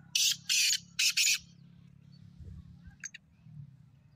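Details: Black francolin (kala teetar) calling: three loud, harsh, rasping syllables in quick succession, then a pair of faint high chips over a low rumbling background.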